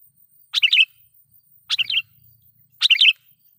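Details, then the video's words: Loud sooty-headed bulbul lure song meant to anger wild birds; three bubbly chattering phrases roughly every 1.2 seconds, each a burst of quick warbled notes, with a faint low hum after the second. "suara pikat KUTILANG GACOR /kutilang suara keras,membuat kutilang liar EMOSI"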